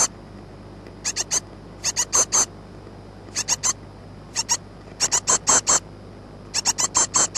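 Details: Great tit chicks about two weeks old, 14 May 2011, crying for food: harsh, high, hissing begging calls in quick bursts of three to five, repeated every second or two over a faint steady hum.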